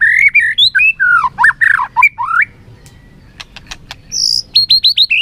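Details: Competitive singing by a white-rumped shama, tail flicking as it sings: a loud cascade of liquid, swooping whistles, a pause with a few clicks, then a high burst and a run of quickly repeated falling notes.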